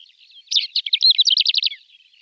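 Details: Male greater short-toed lark singing in flight, a song that includes mimicry: a quick, dry, chattering phrase of high, clipped notes lasting just over a second, clean and without other sounds.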